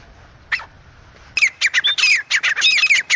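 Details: Francolin calling in the wild in a jungle: after a lone harsh note, a rapid run of loud, scratchy, squawking notes with thin whistled overtones, repeated several times a second without pause, over faint background hiss.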